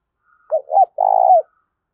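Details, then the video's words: Single spotted dove phrase, used as a lure to make decoy birds answer: two quick low notes, then a long rolling coo that dips at the end, against a silent background. "Tiếng chim cu gáy kích bổi nhanh nổi và rất hiẹu quả"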